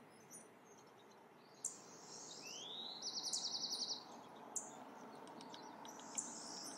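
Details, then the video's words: California towhee in a backyard in the Sierra foothills, California, 10 April: sharp, high metallic chip notes a couple of seconds apart, with a rising whistle and a fast high trill from other birds nearby. "California Towhee カリフォルニアムジトウヒチョウ"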